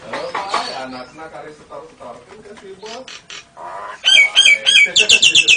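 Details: Nias hill myna singing a variation of lovebird and canary sounds. Soft chattering, talk-like babble leads into loud, rapid, repeated shrill squeaky chips that speed up toward the end.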